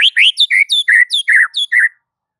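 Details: Bright, varied phrase from a white-rumped shama used to goad other shamas into singing, with quick alternating high and lower whistled notes, some rising and slurred, in a steady burst lasting about two seconds.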